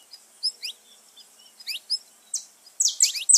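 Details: Song of a saffron finch, used to excite kept birds into singing: scattered thin slurred chirps and short whistles, ending in a dense burst of loud buzzy high notes.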